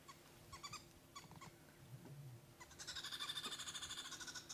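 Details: At sunrise on 24 June in Sabi Sand, green wood hoopoes give alarm calls at a male leopard, breaking into a harsh, rapid cackling chorus of fast repeated notes. Earlier there are scattered faint chips and a low rumble.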